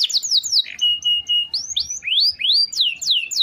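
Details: Canary singing varied song used as daily tutor for other birds: downslurred whistles, a level sustained tone, then rising and falling slurred phrases.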